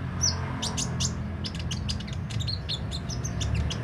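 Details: Sunbird with open beak pouring out a fast, jumbled series of very high, thin chirps and flicked notes, almost continuous, over a low steady hum.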